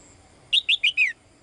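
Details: A female bird calls for the male with a burst of four bright, high chirps in close succession, the final note drawn out and falling in pitch.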